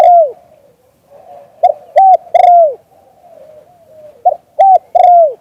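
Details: Spotted dove in lûu-tan song, recorded live in Full HD: a drawn-out falling coo, then two triplets of short hollow notes, each ending in a longer descending coo, with quiet murmurs between.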